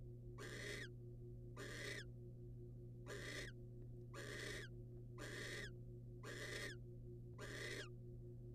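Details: Wild barn owl calling as the male brings a rodent to the female: eight breathy, rasping screeches a little over a second apart, each fading with a short downward slide, with a low constant hum.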